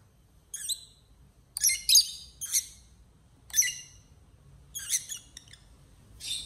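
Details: Quarrelling lovebirds give high, thin, squeaky chirps in irregular bursts, some paired closely, over faint low background hum.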